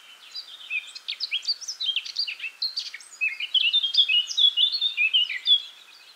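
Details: Eurasian blackcap singing a long phrase: a quiet, scratchy chattering start that swells into louder, clear whistled flourishes, notes delivered rapidly and irregularly for six seconds.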